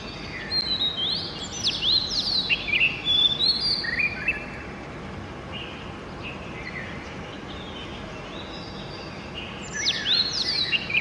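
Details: Oriental magpie-robin at early morning: a burst of loud, varied whistles and chattery notes lasts a few seconds, then fainter distant phrases, a long quieter stretch of hiss, and a final bright burst.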